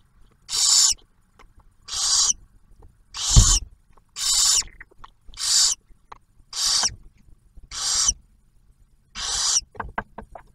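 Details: Nest-box barn owls in Ottawa National Wildlife Refuge, Ohio, sharing the newly hatched owlet's first meal after the male's food delivery; eight harsh hissing screeches repeated about once a second, with some knocks and rustling.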